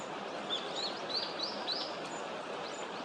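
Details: A male hawfinch in Japan, filmed on 19 November 2022 in a small wintering flock, calls from a distant high branch with a female beside him, giving thin, high upward-sweeping notes, about five in two seconds, over a steady hiss; possibly a male-only call.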